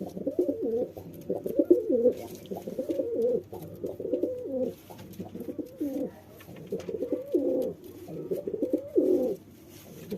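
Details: Male pigeon courting a female, giving a near-continuous run of low, throaty rolling coos that swell and fade in short bursts across the whole stretch, with slight background clatter.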